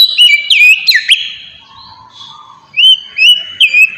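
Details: Oriental magpie-robin song used as a lure to provoke other birds into answering: clear whistled phrases sliding down and up, a pause of buzzy low notes, then renewed rising whistles.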